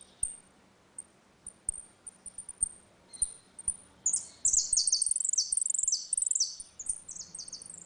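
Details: Ringing retinido song of saffron finch in dispute, meant to teach young birds: opens with scattered thin high chips, then breaks into a dense, rapid cascade of sharp descending high notes.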